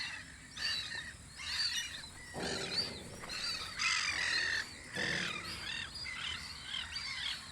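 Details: Seagulls at a guard post on Audru polder in spring give loud, raucous cries in bursts, some with a rough laughing quality, over a background of softer chattering calls.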